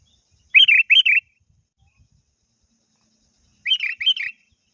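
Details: Sooty-headed bulbul used as a lure, calling a rival. Two bubbly phrases of paired liquid chirps come about three seconds apart in quiet surroundings.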